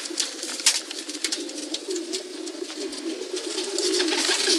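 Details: Overlapping pigeon coos form a soft, pulsing drone that grows louder in the final second, with scattered sharp taps and wing rustles.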